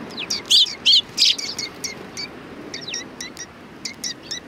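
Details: Sparrows greet a visitor at a Tenmangu shrine on 3 July 2020. Three loud, bright chirps come close together early on, followed by a scatter of softer, quick chirps from several birds over a low background murmur.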